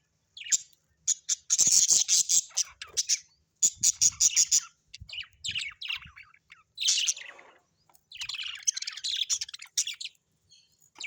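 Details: Budgerigars at home in loud, dense chatter, rapid harsh chirps and screeches run together in long bursts with brief gaps.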